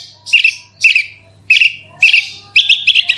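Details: Javan bush lark song played as a lure to set another lark singing: short, bright, chirpy bursts repeated about every half second, ending in a quicker twittering trill, with a low background hum.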